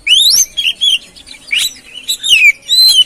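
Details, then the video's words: Oriental magpie-robin lure song for prompting another bird to sing. A dense stream of sweet rising and falling whistles with chirpy notes between them, almost continuous. "Pancingan Burung Kacer Atasi Macet Dan Stres Kurang Gacor"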